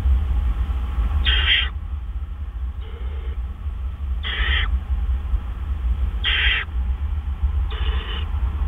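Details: Owl at 4:03 AM on April 12, 2013, as food is delivered. Four loud, rasping, hiss-like screeches each last about half a second, with one fainter call between, over continuous low-pitched background rumble.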